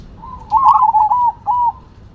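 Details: Single cooing phrase from a zebra dove of the Cemani or Silver variety, a soft wavering trill that rises, rolls, then ends in a brief level coo.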